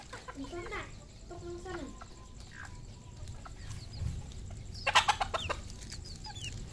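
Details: Red junglefowl at a farm in Cambodia: nasal clucking notes rising and falling early on, quieter scattered calls, then a burst of sharp knocking sounds and a few high peeps.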